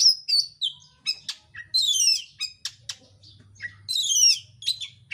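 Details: Oriental magpie-robin in a dense, fast, insistent song used to provoke another bird to sing: rapid bursts of sweet whistles, sharp chips and buzzy descending notes, closely packed with brief pauses, faint low hum beneath.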